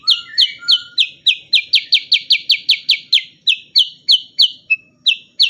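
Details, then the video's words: Sooty-headed bulbul song for tutoring songbirds: a steady, rapid run of loud, sharp high notes, each a short descending chip, repeated roughly three times a second with a few softer whistles at the start. "burung cucak kurincang super gacor untuk masteran terbaik"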